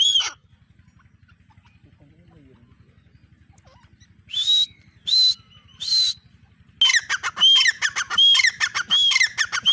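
A grey francolin gives loud, harsh, shrill notes: three spaced bursts, then a fast run of screechy calls. A low mechanical hum runs underneath.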